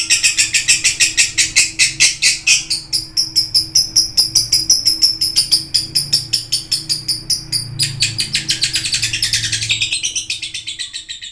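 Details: Long burst of busy lovebird chattering, sharp clicking chirps repeated steadily, later blending into a denser buzzy twitter, with a low hum throughout.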